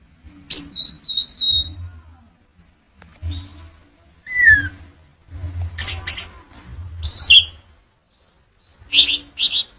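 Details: Orange-headed thrush singing: separate short phrases of high, slurred whistles and thin descending notes, split by pauses of a second or more. Low rumbling thumps sit beneath several phrases.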